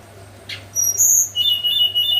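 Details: Hill blue flycatcher singing in the morning in the flute-like nyuling style: a brief run of thin, very high whistled notes, one held steady, then a lower sustained whistle, over a faint steady hum.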